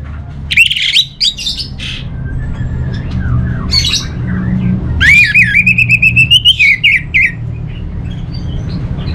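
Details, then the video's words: Orange-headed thrush, a contest-trained cage bird, gives harsh buzzy notes and then a long rasping phrase that climbs gradually, built from rapid pulses. A low hum persists underneath. "Suara ANIS MERAH"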